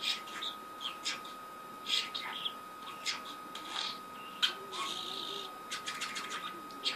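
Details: A talking pet budgerigar at play chatters in quick, scratchy warbles and sharp chirps, mixing in speech-like mimicry.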